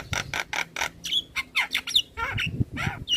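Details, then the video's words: Male black-winged starling song meant to prompt young starlings: evenly spaced harsh rasping notes, then a jumble of short whistles, slurred squeals and downward-bending calls, with low thumping in the background. "Suara Jalak Kebo Jantan Full Isian Untuk Pancingan Burung Jalak Muda"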